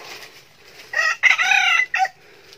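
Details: Young male red junglefowl kept as a decoy bird, recorded in 2019, gives one loud harmonic crow of about a second: a short opening note, then a sustained, slightly wavering middle and a clipped final syllable over quiet background.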